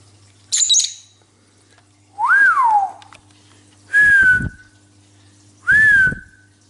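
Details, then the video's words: A cobalt lovebird (Agapornis) gives one harsh, high chirp, then three clear, medium-pitched whistles about every two seconds, each rising and then falling, over a low electrical hum. "Talking Lovebird Singing"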